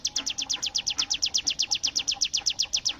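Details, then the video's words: Bar-winged prinia delivering its 'bren' shooting song, a fast rattling string of high, slightly buzzy chips at roughly six per second, steady throughout over a soft low murmur. "cigun gacor full tembakan bren AK47"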